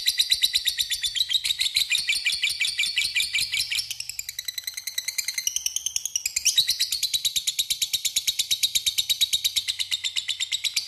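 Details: Long unbroken ngekek of a lovebird, a lure to call a rival: eleven seconds of shrill, rasping, machine-gun chatter, briefly softer and lower in the middle before resuming at full strength.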